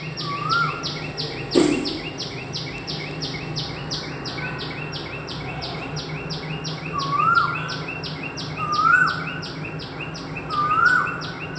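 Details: Indian cuckoo calling near a home: short, mid-pitched whistled phrases repeat every couple of seconds over a steady, buzzing insect chorus, with one brief low knock near the start.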